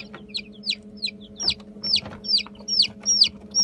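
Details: Light Brahma chicks, 15 days old, peeping in a steady run of high, downslurred cheeps about two per second, with a low steady hum in the background.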